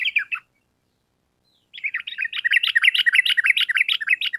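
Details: Sooty-headed bulbul singing lively, long rapid trills, used to train caged bulbuls to answer fast. A brief bubbly phrase comes first, then after a pause a steady, fast run of warbled chattering notes.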